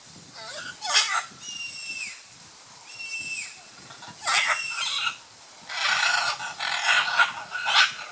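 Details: Harsh, raucous squawks from scarlet macaws courting on the Osa Peninsula at Playa Blanca, La Palma, Costa Rica, with grating bursts, two level drawn-out nasal notes that drop at the end, and a long run of overlapping rasping calls.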